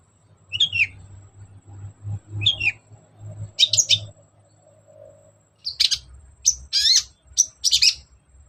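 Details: Lure for a lazy long-tailed shrike: a vigorous singer gives isolated scratchy, high chirps, then a denser run of sharp buzzy notes near the end over faint low hum.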